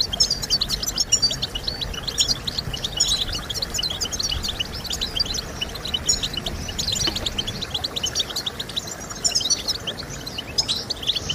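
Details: European goldfinch song played to stimulate singing in kept birds; a continuous, rapid tinkling twitter of high chirps and short trills, with a steady low hiss underneath.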